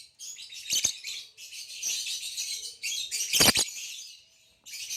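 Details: A green hybrid male Nyasa lovebird and a Lilian's (Nyasa) lovebird chatter in a dense, high twittering stream, broken by two loud broadband bursts like flapping or sharp squawks.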